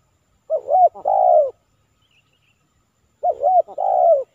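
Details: Spotted dove cooing during a trapping session with a decoy bird in Silaban village, Lintong ni Huta district, where the target is a 'kuk 3' male: two mellow, throaty coo phrases, each with a short note then a longer falling one.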